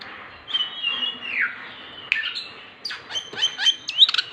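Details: Oriental magpie-robin, kept songbird played to encourage silent birds to sing; drawn-out whistled notes sliding downward, followed by quick sharp chips and a rapid bright trill at the end.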